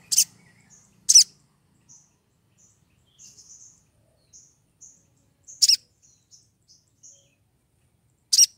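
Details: Calling to attract a male, a female crimson sunbird in breeding condition utters brief high-pitched chirps spaced about a second apart, broken by loud snapping clicks.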